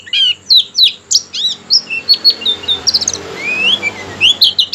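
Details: Oriental white-eye singing to draw other white-eyes into song: varied high chirps, whistles and a rising slurred note, irregularly spaced, against a noticeable background hiss.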